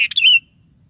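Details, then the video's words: Brief sooty-headed bulbul phrase from a lively lure recording for stirring other bulbuls: a fast stuttered start running into a smooth falling whistle, then quiet. "DENGAR SUARA BURUNG KUTILANG GACOR"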